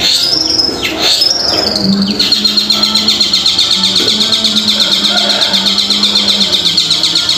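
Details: Long-tailed shrike song used as a lure to draw silent shrikes into answering: opening downward-sweeping high whistles, then a steady, rapid run of high chattering notes about four per second, over a faint low hum.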